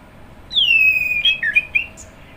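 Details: Orange-headed thrush, one long descending whistle followed by a few quick warbled notes, somewhat softer over a faint background hiss.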